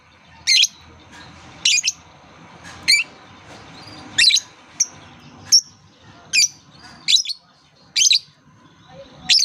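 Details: Lovebird call series used as a lure to get lovebirds calling, aimed at young birds just learning to sing: piercing high chirps repeated roughly once a second, some single and some doubled, against a quiet background.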